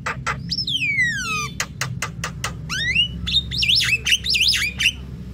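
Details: Javan myna calls used as a lure: a run of sharp clicks, long falling whistles, then rising squeaky whistles and warbling notes over a low hum.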